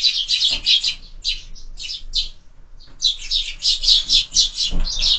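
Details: Evening sparrows gathered at a feeder fixed to a window, chirping in quick high-pitched runs about four per second, a short lull mid-way, then renewed chattering from several birds, with soft knocks at the feeder.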